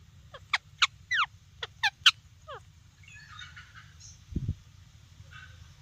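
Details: Talking parrot giving a quick run of sharp descending chirps over the first few seconds, followed by softer, nasal, buzzy notes and a brief low thump, with a constant low background hum.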